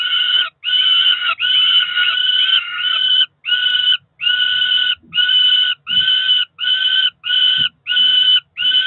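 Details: Two ringed Peregrine falcon chicks about four weeks old at a Cromer nest in June beg during a feeding, giving harsh buzzy wailing screams, first long and overlapping, then shorter cries repeated roughly every second in a steady run.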